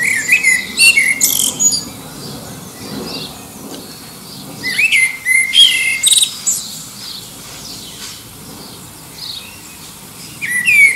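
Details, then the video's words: Common blackbird singing against rival birds in the distance to find a mate, recorded near Liverpool's airport flight path; repeated phrases of low fluted whistles ending in squeaky high twitters, roughly every four seconds with pauses between. "Song of the Black Bird"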